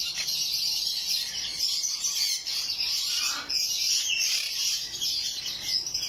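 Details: Blue monk parakeet pair calling steadily: a busy stream of shrill, scratchy chirps and squeaky notes, unbroken for several seconds, with louder bursts around the middle.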